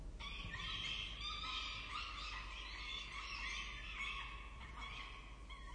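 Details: Peregrine falcon nestlings being fed at a university campus nest in Orange, Australia, in October 2023 keep up a continuous, shrill, harmonic wailing, calls blending into one another.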